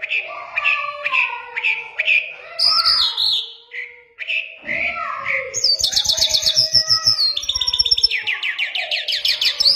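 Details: Iranian lark of the Mashadi type, locally called jal, singing a rich varied song: repeated warbled notes, slurred whistles and a later stretch of fast buzzy trills, with no other sounds.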